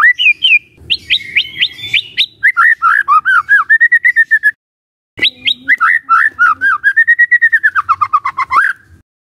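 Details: White-rumped shama song used as a lure to provoke other shamas: loud whistled phrases, a fast run of repeated rising notes, then rolling descending warbles; after a short pause it resumes with similar rapid series and a final upswept whistle.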